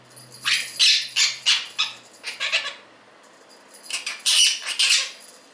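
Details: A pet male blue Quaker (monk) parakeet screams while playing excitedly with his favourite bell toy in his morning routine, giving harsh, grating screeches in quick bursts with a brief pause between two bouts.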